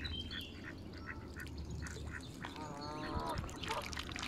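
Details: Mallard ducklings in the sun at Longton Park, Stoke on Trent, on 30 April 2022 call with high, thin peeps and a short run of nasal, quack-like notes, over a steady low rumble of background noise.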